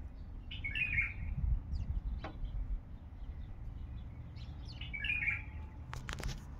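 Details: A male bulbul with a heavy, deep voice gives two short, rich warbled phrases about four seconds apart. A steady low rumble runs underneath, with a few sharp clicks near the end.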